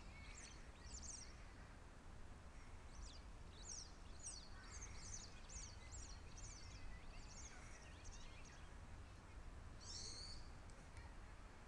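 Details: White wagtail, one of two birds on the ground and in a tree at a primary school, giving thin, high, sharp chirps in quick clusters, one brighter note near the end, over a steady low rumble.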